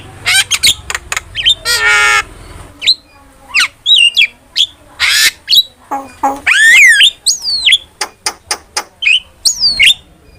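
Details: Starling giving a varied training song: quick clicks, a grating buzzy rattle, then sweeping whistled slurs rising and falling, and a series of short sharp notes.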